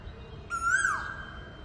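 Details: An Asian koel calling close by at about 7 a.m. gives one loud, clear note that swells slightly upward, then slides down and fades, over faint background hum.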